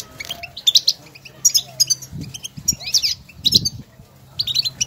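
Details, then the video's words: Goldfinches calling to each other in nature: loud bursts of high, squeaky, tinkling twitters separated by brief pauses, with low thumping handling sounds. "افضل بتبتة لتحفيز طائر الحسون"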